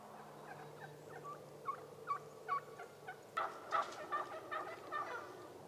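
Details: Wild turkeys in Rhode Island in early spring give short clucking notes about twice a second, then a louder run of rattling, gobbling bursts, over a faint low hum.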